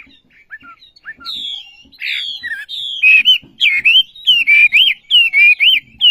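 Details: Olive-backed sunbird song opening with scattered soft falling whistles and drawn-out high slurs, then speeding into a string of loud bouncing whistled notes with short gaps between them.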